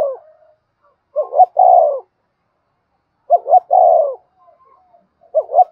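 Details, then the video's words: Spotted dove cooing in thúc style to provoke wild doves, low phrases of two short notes plus a long falling coo repeated about every two seconds, three phrases with the last cut short. "Tiếng cu gay thúc cực đỉnh/ cu gay kich boi nhanh noi gù"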